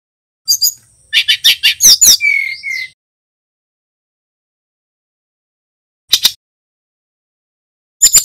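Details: Immature male Brown-chested Jungle Flycatcher, Bali, rehearsing its song: a quick burst of buzzy chirps and high twisting whistles ending in a long level whistle, followed after a pause by two brief chirp bursts.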